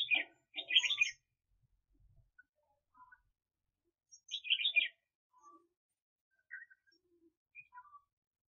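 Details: Red-whiskered bulbul kept as a decoy bird for trapping, recorded in 2021: two bursts of rich, bubbling warbled phrases about four seconds apart, followed by softer scattered chirps and short whistled notes.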